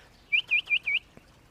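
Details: American Goldfinch in a Colorado backyard gives its flight call: four quick, high, sweet dipping notes in under a second, the classic 'potato-chip' rhythm, followed by a faint click.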